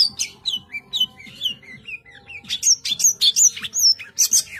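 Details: Long-tailed shrike in lively full song with dense, rapid phrases: varied descending whistled notes around mid-high pitch, then sharper high chattering bursts, delivered quickly with little pause; faint low hum beneath.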